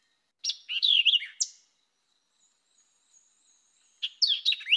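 White-eyed Vireo song: a quick, emphatic burst of sharp, slurred whistled notes, about one second long, repeated after a pause of about two and a half seconds.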